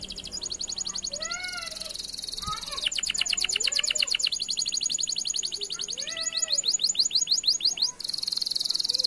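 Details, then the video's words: Canary song used as a lure to prompt silent canaries to sing: fast high trills of rapid repeated notes that switch tempo and pitch between tours, with softer lower slurred whistles mixed in. "PANCINGAN BIKIN KENARI APAPUN YANG MACET BUNYI LANGSUNG BUNYI"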